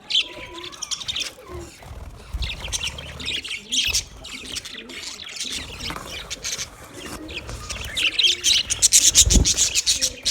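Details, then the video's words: Budgerigars twitter and squawk in a steady, raspy chatter that grows louder and busier near the end, with a few low thuds in the background. "sounds of budgies chirping"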